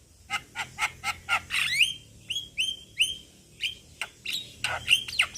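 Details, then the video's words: Male Javan myna calling its young companions: sharp clicking notes repeated at a quick pace, then several downward-slurred whistles and a closing scratchy squawking phrase. "Kicauan Jalak Kebo Jantan Memanggil Kawan Jalak Kebo Muda"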